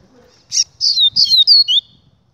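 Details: Double-collared seedeater song: a sharp opening note, then a run of bright, high, downslurred whistles with a slight buzz, ending on a lower slur.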